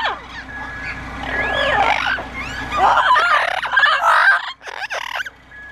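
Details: Double Yellow-headed and Yellow-naped Amazon parrots, bewildered by an odd noise, give loud, harsh squawks and rising-falling whistled calls in overlapping bursts, with a brief pause near the end before a final short call.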